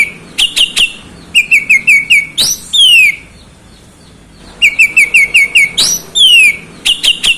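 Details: Oriental magpie-robin delivers bold whistled phrases: rows of five short level notes, each capped by a falling slurred whistle, separated by a quiet two-second pause before the pattern repeats.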